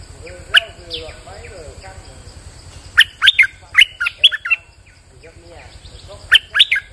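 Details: Bulbul in rainy weather sings several bursts of bright, jumping chirps, a lone note, then a run of about six, then a short closing group, amid soft background warbling of other birds.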